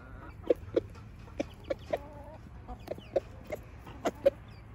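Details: Rooster in Switzerland showing his hens what to eat: a series of short, sharp clucks, about ten in under five seconds, irregularly spaced and rising in strength toward the end, over a low steady background hum.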